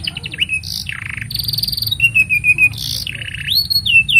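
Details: Master song of a canary, meant to train young birds and draw out silent ones; broad buzzy trills held for about half a second alternate with clear, level whistles and quick rolling phrases.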